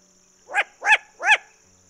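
A Long-eared Owl gives three harsh, barking notes about a third of a second apart, each rough and nasal, over a quiet background.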